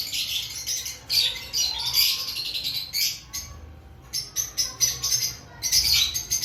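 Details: Several lovebirds calling ahead of breeding season: piercing, high-pitched chirps and squeaky trills come in clustered bursts, with a short quieter gap near the middle before the chatter resumes.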